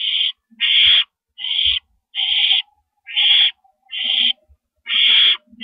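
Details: Pre-dawn owl nest, April 4, 2012, while adult owls ferry rabbits in and out. Loud hissing screeches, short and noisy, come in an uneven series, with soft low rustles in the pauses.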